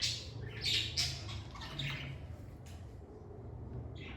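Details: Lovebirds recorded in a calm, stress-free setting give a quick run of shrill, squawky chirps, bunched in the first second and fading into scattered notes, over a steady low hum.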